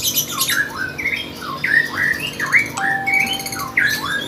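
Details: Lovebird singing at a bird contest: rapid chattering, squeaky whistled notes that sweep up and down in quick succession, with a steady electronic tone in the background partway through.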